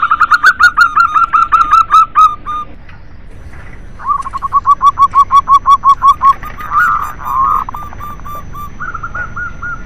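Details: Local zebra doves singing together, a recording meant to coax silent doves to sing: two bursts of fast, evenly repeated cooing notes separated by a short pause, followed by softer overlapping phrases.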